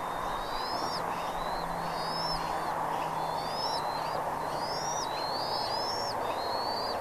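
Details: Bald eagle at Redding, recorded 17 April 2021 at 08:15: thin, high whistled calls that glide upward and end in a sharp downward hook. They repeat roughly every second over a steady broad rushing background noise.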